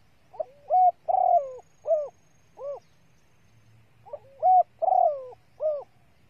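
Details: Calling female spotted dove used to rouse males quickly as a lure; two mellow cooing phrases, each with short lead-in notes, a long droning coo sliding down, and a brief closing hoot.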